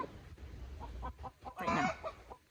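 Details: A hen gives clucks that build into a louder, harsh cackle while laying an egg, then completes the lay. Background hiss runs throughout.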